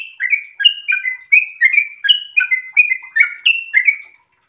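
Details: Sooty-headed bulbul, breeding condition, with a lively ropel song of liquid, warbling whistled notes in rapid, slightly irregular succession, ending abruptly in silence.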